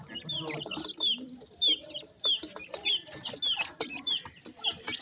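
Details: A newborn Sindhi partridge chick in Pakistan's fields utters clear, high-pitched descending peeps, repeated steadily about every half second, over faint background clicks and rustles.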